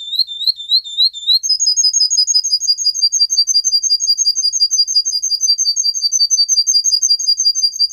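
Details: Russian singer canary bred for singing, recorded to train young canaries: a few rising looped notes, then a fast, even, high trill of repeated chirps, about three per second, running on steadily.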